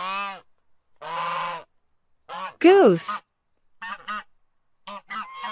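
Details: A farm goose gives a series of loud, nasal, brassy honks, some drawn out and some clipped short, in uneven bursts roughly every second.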